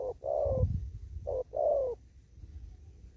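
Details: Spotted dove, a field bird in an upland farm plot, giving thúc gù coos: two phrases, each a brief clipped note followed by a longer falling coo, with a low thump and rumble beneath.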